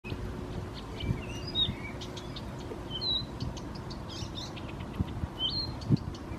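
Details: Unseen bird singing in Helsinki, Finland: varied whistled notes and short rising and falling slurs, some high and sharp, given in quick scattered phrases over steady low rumbling background noise.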